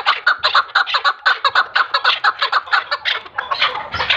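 A chukar partridge gives a fast, steady series of harsh, clucking chuk notes, about two per second, loud and continuous with no other sounds.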